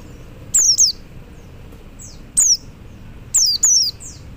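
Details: Male Oriental white-eye calling to other white-eyes, giving sharp high whistles that fall in pitch, mostly in quick doublets: a pair, a single note, then another pair.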